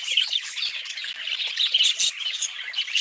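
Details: Budgerigars in lively chorus: shrill, rapid chirps and short squawks pulse continuously, loudness rising and falling in quick bursts.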